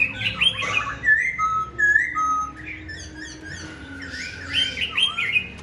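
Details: Singing Black-throated Laughingthrush kept as a tame cage bird: a harsh chattering start, then level, drawn-out whistled tones and high twittering, ending in a busy jumble of chirps.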